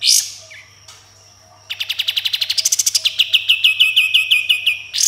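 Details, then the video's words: Singing Sooty-headed bulbul delivering a harsh opening note, a faint whistle, then a long rapid volley of sharp staccato notes, over twenty, speeding up and dropping slightly in pitch. "Kapas Tembak Gacor Full Tembakan dan Besetan Kasar"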